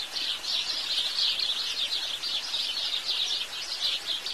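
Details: House sparrows give fast, crowded chirps and twitters, rising and falling slightly in loudness, with little other sound.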